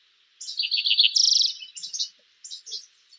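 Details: A Spotted Towhee in Montana, singing in spring or summer in brushy habitat, gives a few high introductory notes, then an explosive, buzzy trill lasting under half a second, followed by a few shorter phrases.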